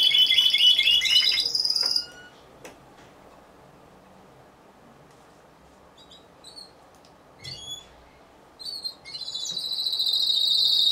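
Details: Timbrado Español canary sung individually at a November 2015 singing contest: a loud, rattling rolled trill, then a pause with faint scattered high notes, before another bright, sustained trill builds again.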